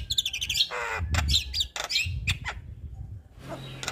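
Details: Male Javan myna singing as a model for other mynas: high wavering whistles and a harsh buzzy burst, then sparse chips fading out, with some low background rumble.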